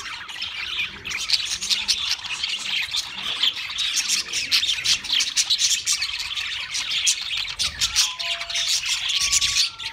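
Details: Pet budgies keep up a constant, dense, high warbling chatter of buzzy notes and clicks, with a few short, thin whistled tones near the end.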